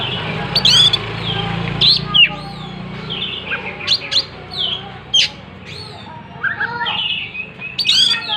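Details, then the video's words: Oriental magpie-robin singing while opening its tail, delivering scattered high chirps and short whistled notes in irregular bursts, with a low rumble beneath. "Burung Kacer gacor buka ekor"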